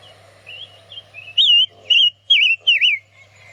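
A Daurian redstart sings a run of high, wavering whistled notes, four louder warbled phrases coming about twice a second, over a steady low hum.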